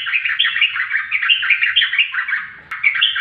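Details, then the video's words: Yellow-vented bulbul in full, rapid song: a continuous run of bubbly, chattering notes, rising and falling quickly between middle and high pitch, with a brief click near the end. "burung trucukan sudah ropel loss"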